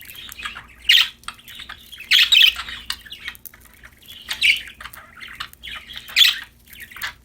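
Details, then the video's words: Budgerigars in a happy mood chatter while playing: continuous soft warbling twitter broken by louder, rasping chirps roughly every second or two. "Happy Parakeets Chirping Sound #budgies Singing, Playing"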